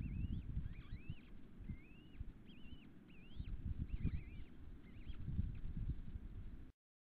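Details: Osprey at its nest 2 km west of Nelson, British Columbia, as the third chick hatches at 7:50 am on 15 June 2014; a string of clear whistled upslurred chirps, repeated rapidly, over a low rumbling wind noise.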